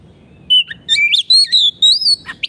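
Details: Oriental magpie-robin (kacer) giving short bright song bursts, a 'gacor' masteran track for caged birds that have stopped singing: clear whistles sliding up and down, high and ringing, separated by brief pauses.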